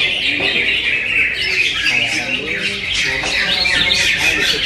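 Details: Greater green leafbird singing a dense, fast run of chattering and warbled notes with squeaky upslurs, continuous and high-pitched, with faint lower sounds in the background.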